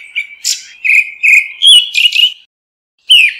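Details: Grey-backed thrush calling the flock, a run of steady whistled notes followed by rapid higher twitters, then a pause and a single falling whistle; recording free of background noise.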